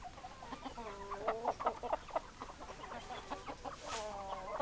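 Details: Hens and roosters producing a run of rhythmic clucks, roughly several per second, with longer drawn calls at start and end, a few birds overlapping amid background noise.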